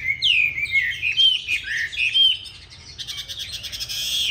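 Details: Chinese hwamei of the green-bean-eye type giving a competition song, used to train other hwamei to sing smoothly: loud, rich whistled phrases with quick upward and downward slurs, followed by a softer, faster jumble of notes.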